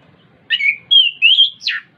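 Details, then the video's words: Whistled Orange-headed thrush phrases played to spur a caged bird: a warbled opening note, two sustained clear high whistles, then a quick sharply falling slur. "PANCINGAN ANIS KEMBANG BIAR NGEPLONG CEPAT BUNYI DAN GACOR"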